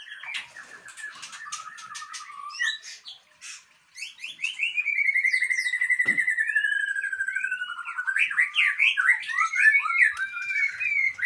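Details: White-rumped shama from Aceh, a breeding bird, opens with scattered chirps, then holds a long, evenly pulsed trill that slowly drops in pitch before breaking into quick, looping whistles.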